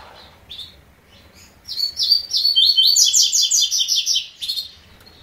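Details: Double-collared seedeater singing the 'três notas' (three-note) song style: after a few soft introductory chirps, a loud, high, rapid run of sharp repeated notes, nearly three per second, lasting about two and a half seconds, then a final chip; quiet background.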